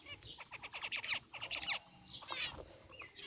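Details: Zebra finches, gray and white varieties, kept together in an aviary cage, give quick series of short, nasal, stacked chirps in clustered bursts, with gaps between groups of calls.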